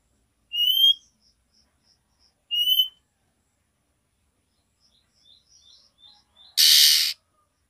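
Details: Female oriental magpie-robin calling to the male with her nyiul call: two bright, rising whistled notes about two seconds apart, followed by soft scattered chips and a brief harsh, hissing burst at the end.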